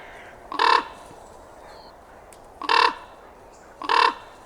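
A raven gives three harsh, raspy cronks, each about a third of a second long, spaced one to two seconds apart over quiet background hiss.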